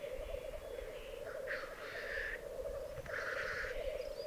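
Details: Black grouse at a singing arena in Piedmont's Alps, Italy, filmed in 2022: unbroken low bubbling with two separate long hissing sneezes in the second half.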